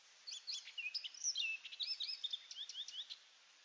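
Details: Singing orchard oriole at Donnelley WMA, coastal South Carolina: a lively, hurried run of chattering and whistled notes, rising and falling, lasting about three seconds, with constant faint high hiss behind.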